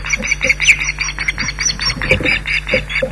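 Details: Osprey pair at a nest at Loch Garten raising the alarm at an intruder: a rapid, insistent series of sharp high notes that repeat several times a second, over a steady low mechanical hum.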